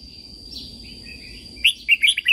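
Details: Song of a caged red-whiskered bulbul in Thailand, used as a training recording to rouse other birds; soft twittering at first, then a loud burst of rapid, sweet whistled notes near the end, with a steady background tone.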